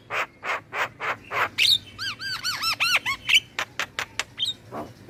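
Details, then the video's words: Black-winged myna song meant to prompt caged mynas to sing: harsh buzzy notes, then a run of arched whistled notes and sharp chirps in quick succession. "Pancingan dan MAsteran Burung Jalak Kebo dan jalak lainnya Langsung Rajin Ngoceh"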